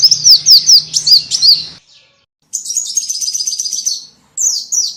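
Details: High-pitched lure call for small birds: quick slurred chirps, a short silence, a buzzy rolling trill, then two more falling chirps.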